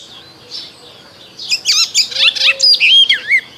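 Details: Icterine warbler singing in spring: a faint note, then a rapid run of varied high, sliding, whistled phrases with some buzzy, nasal notes, the final notes dropping in pitch.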